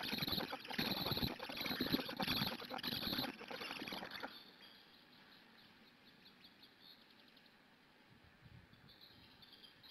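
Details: Chicks of the black stork being fed at a Hungarian nest on 4 June 2017, early afternoon, live nest camera; noisy pulsed squealing begging for about four seconds, then the calls stop, leaving faint background hiss.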